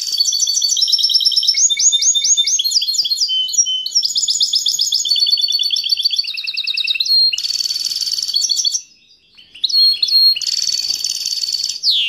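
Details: Caged European goldfinch hybrid (mule) singing strongly: a long run of bright, high twittering phrases, fast trills and rattling buzzes, with sweet whistled notes, broken by a short pause before the twittering resumes.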